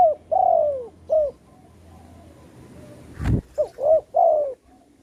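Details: Lure spotted dove for trapping, voice in the satu kuk or dua gayau style: a long falling coo, a short coo, then a repeat of the short-short-long phrase, broken by one sharp click.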